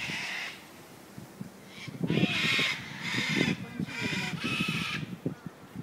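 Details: Several wild cockatoos living in and around Sydney's Royal Botanical Gardens, Australia, give loud, harsh, grating screeches in bursts about a second apart, over a low murmur of background noise.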